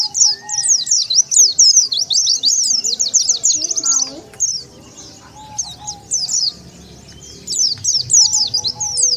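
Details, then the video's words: Oriental white-eye lure call for attracting wild birds: bursts of rapid high-pitched slurred chirps separated by a quieter gap, with faint voices and lower sounds beneath. "SUARA PIKAT BURUNG PLECI SANGAT AMPUH,DENGAR SUARA INI BURUNG PLECI LIAR LANGSUNG NGUMPUL"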